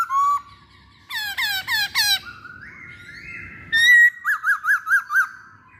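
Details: Masked laughingthrush, known locally as poksay hongkong, in a pancingan lure recording: harsh squawky notes, a quick burst of four downslurred chirps, a long level whistle, then five rapid looping whistled notes, with low steady hum beneath.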